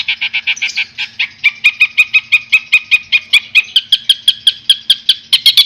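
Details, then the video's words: Master-recording songbird for schooling competition birds, delivering harsh 'isian kasar' fill: about thirty sharp chattering notes repeated steadily, roughly five per second, gradually climbing higher toward the end. "suara tembakan kasar untuk masteran"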